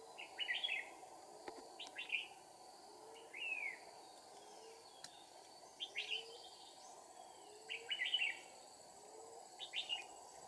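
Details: Red-whiskered bulbul decoy song used to lure wild birds into traps, 2 April 2019: brief chirpy phrases repeated about every two seconds, faint against constant hiss and a low droning hum.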